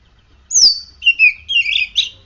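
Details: Oriental magpie-robin, a caged bird in active form after morning sunning and dew exposure, gives a loud whistled phrase: a high note sliding steeply down, then short warbled twittering notes.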